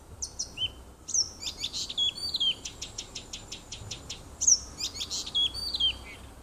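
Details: Nightingale singing in a small wood near a house on 30 June 2015: whistled swoops, then a rapid train of about twelve evenly spaced clicking notes, followed by more whistles and falling tones.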